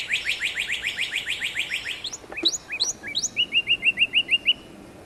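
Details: Northern cardinal song opening with a rapid string of rising whistled slurs, then a few sharper sweeping notes, and ending in a tight series of short downslurred whistles repeated evenly.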